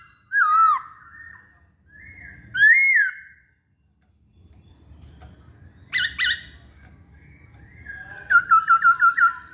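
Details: Caged masked laughingthrush, called poksay hongkong locally, giving loud slurred whistles at intervals, a pair of harsh short notes, then a rapid run of about seven repeated whistled notes.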